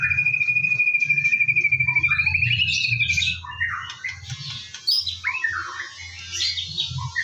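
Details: White-rumped shama in morning song, used to prompt birds to sing: it opens with a long, high, trilled whistle for three seconds, then scattered buzzy and slurred notes, with a low hum underneath.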